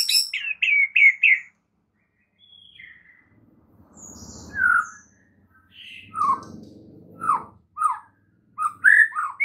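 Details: White-rumped shama morning training song played to get other shamas singing: a quick run of clear whistled notes, then scattered slurred whistles over a faint low rumble, ending in a burst of whistles.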